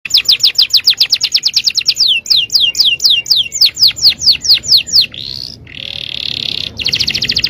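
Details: Canary, bon yellow colour, sings rapid runs of bright, high descending notes, shifting into a sustained trill and then a fast buzzy rattle.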